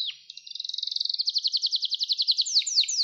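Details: Canary singing for young-canary song training: a trill that starts soft and speeds into loud, even notes, then slows into longer down-sweeping notes about four a second.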